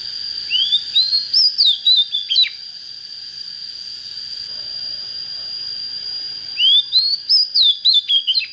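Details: Young white-rumped shama beginning to sing in earnest, two phrases of clear upward-sliding whistles followed by quick falling notes, a pause between, with a steady high tone running throughout.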